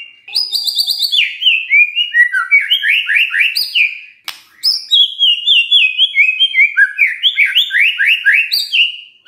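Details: White-rumped shama in morning song, played to stir a silent shama to sing: bright high whistles and rapid descending note series in two long phrases, separated by a short pause.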